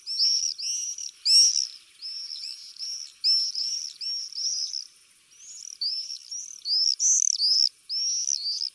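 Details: Common swifts breeding in a roof vent across the street, recorded from a window in summer 2024, give shrill, buzzy screams in quick overlapping bursts, several birds calling together high in pitch with short pauses between volleys.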